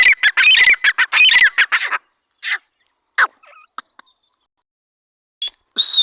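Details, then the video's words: Dhakani or arani teetar, a partridge, uttering a quick run of rasping squawks for two seconds, then falling mostly silent with a few isolated notes and a final loud ringing call. "dhakani teetar voice /arani teetar voice /teetar sound/teetar boli"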